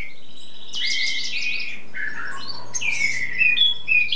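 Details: Spring song of a tutor bird (cabresto) that sings readily, in its display stage and singing nonstop for hours: rapid buzzy trill first, then varied whistled notes and a clear high ending, with faint low background hum.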